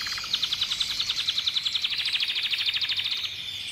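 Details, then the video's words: Caged pet red canary singing a long rapid trill, dozens of quick clipped repeated notes at a steady high pitch, slightly rising midway, then stopping abruptly; faint background hiss. "Canary màu đỏ quá đẹp cho dòng yến hót"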